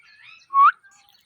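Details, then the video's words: Parrot giving one short, clear whistle that slides upward, preceded by faint twittering, in otherwise quiet surroundings. "Parrot Chirping Sounds | Natural Parrot Sounds | Parrot Calling Sounds"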